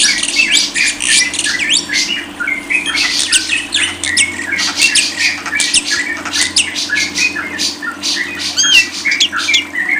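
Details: Dense, unbroken lovebird chatter: harsh squawks and high squeaky chirps tumbling over each other for ten seconds, with little pause.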